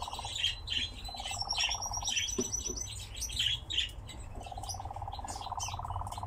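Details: Kept nightjar churring in short pulsed bursts at the start, middle and a longer run at the end, with loud high chirps and a thin whistled note from other birds.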